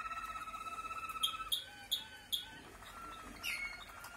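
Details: Lively Malinois (Waterslager) canary song with many 'klok' notes: a fast, rolling low trill, then sharp clicking notes about every half second and a few clear whistled tones.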